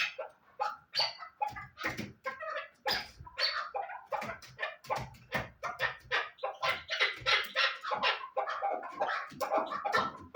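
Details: Chukar partridge calling in a dense, continuous run of harsh, broad clucking notes that seem to overlap, several per second, with varying loudness throughout.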